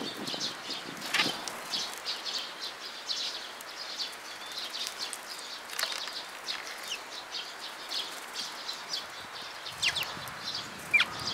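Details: Feeding sparrows at a post in a Tenmangu shrine on 8 June 2022 keep up steady high chirping and twittering, with occasional louder notes and light fluttering, in quiet surroundings.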